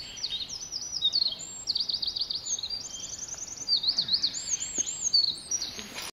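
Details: Eurasian wren singing a rapid, high-pitched song of fast trills and warbled rattles that pour out continuously for about six seconds, with brief pauses between trilled runs and quiet background.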